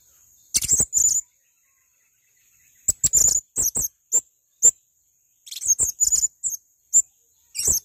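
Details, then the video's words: A male blue-crowned hanging parrot sings bursts of rapid, thin, high-pitched squeaks and chips, with a two-second pause, then irregular quick runs of shrill notes. "Masteran Burung Serindit Jantan Untuk Gacoran"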